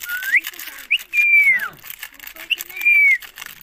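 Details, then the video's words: Indian green ringneck parakeet vocalising to its owner: a rising whistle, then a long, level whistled note that drops sharply, a pause, and a similar repeated whistle, over soft background hiss. "Indian green ring neck parrot talking to me"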